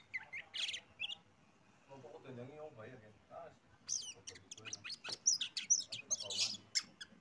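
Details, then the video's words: Oriental magpie-robin (kacer) lure song to set other birds singing: scattered chirps, a stretch of human speech, then rapid sharp whistles and chatter grow louder. "PANCINGAN BURUNG Kacer biyar ikut bunyi"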